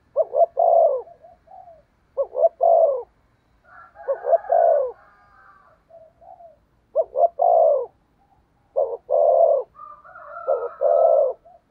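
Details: Decoy spotted dove luring wild doves with 'thúc gù' cooing: stuttering low double notes swelling into longer coos, phrases spaced irregularly, soft purring notes and faint higher bird chatter in gaps.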